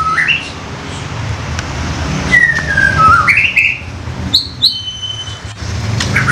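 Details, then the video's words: Loud 'koar koar' singing from a young wild White-rumped shama, a luring recording: rising whistles, a long descending slur, then a quick climbing run and sharp high notes, over passing traffic rumble. "MEMANCING MURAI MUDA HUTAN KOAR KOAR"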